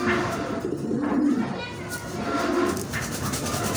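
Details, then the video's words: A ring-necked dove gives low, soft, rolling coos, several in a row at an unhurried pace, with faint room noise behind. "Ring-neck Dove ।। ঘুঘু পাখি"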